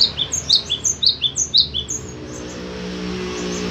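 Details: Pet cinereous tit sings a quick run of clear, high two-part whistles, each phrase falling from a sharp upper note, then stops; steady background hum and faint engine-like rumble continue.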